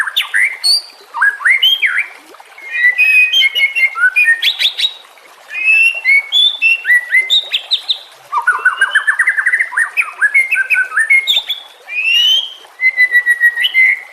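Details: White-rumped shama (murai batu) song used as a master recording for teaching other songbirds: loud, rich, fast-changing phrases of clear whistles, rising slurs and sharp chirps in bursts separated by short pauses, with no background noise.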